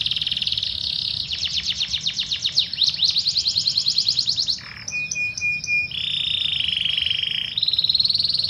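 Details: Fighting canary song used as a training recording: rapid dense trills, fast descending sweeps, then a steady high whistle and a bright buzzy trill, continuous varied phrases with no other sounds.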